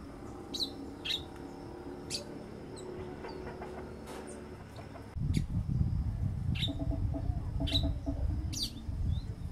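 A female burnished-buff tanager gives thin, high chip notes every second or so. Low clucking, like domestic fowl, and rumbling background noise run underneath.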